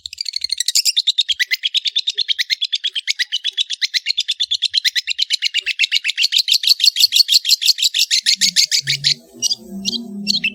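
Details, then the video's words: Long-tailed shrike (Lanius schach) singing a long, rapid chatter of harsh, buzzy notes lasting about nine seconds, then a few broken high notes over faint low background noise. "BURUNG CENDET GACOR"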